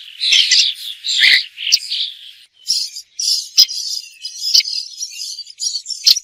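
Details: A bird gives dense, scratchy chattering calls through the first two seconds, then pauses briefly before more harsh, broken notes return in quick bursts.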